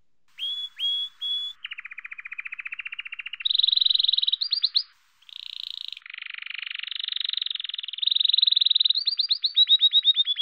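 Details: A male canary sings its spring courtship song, bright and varied with rapid trills and rolling tours, switching between buzzy low rattles and high, clear whistled phrases.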